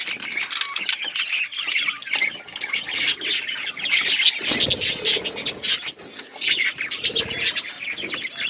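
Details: Australian parrots in a group, giving a dense, continuous chorus of overlapping high chirps, squeaky twitters and short squawks with no pauses, several birds calling at once.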